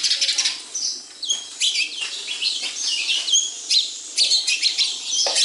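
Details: Sparrows around a house giving a stream of high, sharp chirps and twitters in quick bursts, several calls overlapping, with brief wing flutters.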